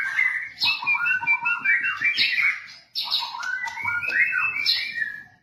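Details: White-rumped shama in full song for training cage birds, a loud musical warble of quickly changing whistled notes in two long flowing phrases.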